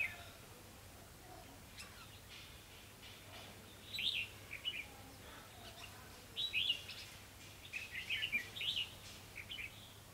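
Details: Decoy red-whiskered bulbul at a trapping site, 28 October 2016; quiet opening, then short clear whistled phrases from about four seconds on, coming in quick bursts of looping notes.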